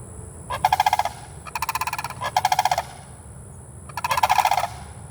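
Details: Three sandhill cranes in Bunnell, Florida giving loud rolling, rattling honks in four bursts, each a quick pulsed trill lasting about half a second, against a steady background hiss.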